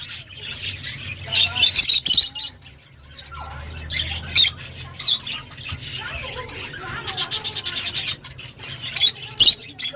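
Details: Shrill lovebird squawks come in scattered bursts, then a fast run of sharp repeated chirps near the end, over a faint low hum.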